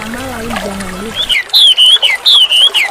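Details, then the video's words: White-rumped shama singing energetically: after a low wavering tone, clear whistled notes arrive in short bursts, some held and gently wavering, others dropping at the end, repeated about every half second. "WAMBI GACOR"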